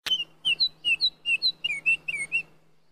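Baltimore oriole singing a quick run of rich, flutey whistled notes, mostly paired and slurring up and down, about ten in under three seconds over a faint low hum.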